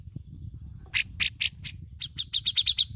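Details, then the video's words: Cucak jenggot, the grey-cheeked bulbul, in besetan and ngepik style: several loud rasping bursts followed by a quick string of sharp, high chipping notes, over a steady low rumbling hum. "BESETAN DAN NGEPIKNYA OKEH BANGET ,REKOMENDED UNTUK PANCING BUNYI .CUCAK JENGGOT GACOR"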